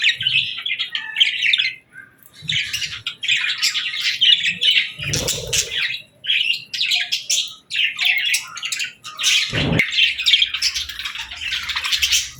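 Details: Group of pet budgerigars chirping at evening feeding time, with seeds and millet before bedtime. Dense, continuous warbling chatter with squeaky chirps, interrupted by brief pauses and a few soft thumps and wing rustles.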